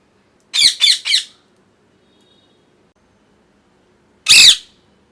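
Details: A molting pet parrot gives three quick harsh squawks in a burst, falls silent for about three seconds, then screeches once more.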